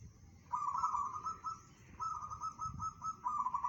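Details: Local perkutut, the zebra dove, in 'bedah karang' style song: long purring, rolling coo phrases of rapid pulsed notes, one over a second long, then a second broken into short segments, with low rumble underneath.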